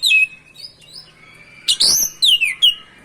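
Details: Oriental magpie-robin (kacer) in energetic, rolling 'ngerol' song, used as a lure to provoke other magpie-robins. High whistled notes slide downward, then a sharp burst leads into a rapid series of bright descending whistles.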